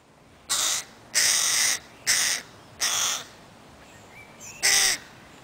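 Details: Crow chicks that will not leave their mother, Helsinki, Finland, 20 July 2011: five harsh, broadband, raspy caws, each about half a second, separated by short pauses.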